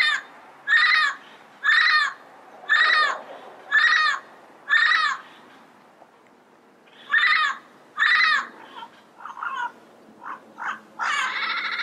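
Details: Yellow-headed parrots in the wild: a steady series of loud, harsh, grating squawks roughly once a second, then a pause and more squawks mixed with shorter clipped notes and a rough, buzzy chatter at the end.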